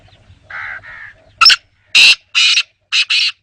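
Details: Black francolin giving a loud, harsh, grating call: two buzzy notes, then a rapid series of rasping, broadband bursts in short groups over about three seconds, otherwise quiet.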